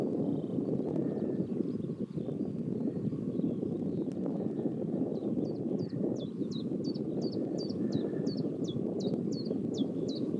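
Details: Common chiffchaff singing near Pehritzsch, Germany: a run of about twelve short, high, evenly spaced notes in the second half, steady and repetitive, over loud continuous low rumble of traffic or wind.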